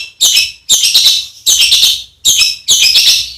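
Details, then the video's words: Songbird master recording with harsh fill-in phrases for training competition birds: five loud, scratchy, noisy bursts, each about half a second long, separated by short gaps. "SPESIALIS ISIAN KASAR ! suara tembakan kasar untuk masteran || MASTERAN BURUNG LOMBA"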